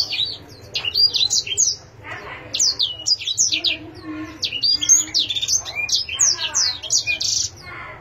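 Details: Pet canary sings clusters of sharp high chirps and trilled notes in short bursts separated by soft gaps, with a steady faint hum underneath.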